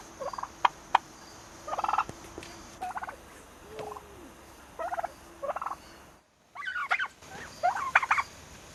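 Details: Young turkeys, almost six months old, give short, rattling, gobble-like bursts about once a second, then higher squeaky yelps after a brief silent gap.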